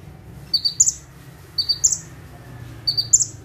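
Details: Ciblek, or bar-winged prinia, perched in one spot and singing in full tembakan style; three evenly spaced phrases of two piercing high chips leading into a squeaky trill, roughly one phrase per second, over a quiet background.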